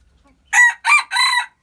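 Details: Hybrid red junglefowl giving a loud, harsh crow of three syllables, the last one longest and held, against near silence.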